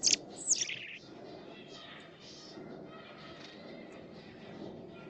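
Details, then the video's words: A robin sings a brief burst of thin, high, tumbling notes at the start, then only faint high twitters over a soft background hum. "A beautiful robin singing the song of his people"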